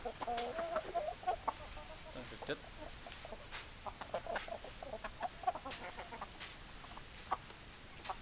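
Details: Chickens clucking: a quick run of low, nasal clucks near the start, then scattered clucks, with clicks and rustling throughout.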